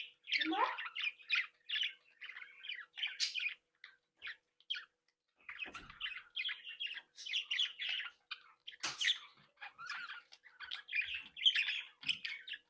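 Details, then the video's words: Budgerigars of a captive breeding flock talking, tweeting and singing: a rising squeak opens a long run of buzzy chirps and grating warbles, with a few sharp clicks or knocks among the calls. "Sonidos de Mi Cría de periquitos Australianos"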